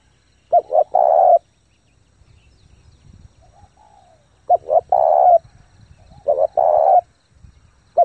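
A spotted dove coos in low, hollow phrases of two short notes and a longer drawn note, repeated about every four seconds.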